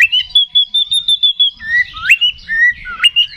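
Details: Oriental magpie-robin (kacer), a 'ngeplong tarung' song meant to raise other kacer's emotion. A steady whistled trill of even repeated notes, followed by several bold upward-swooping whistles.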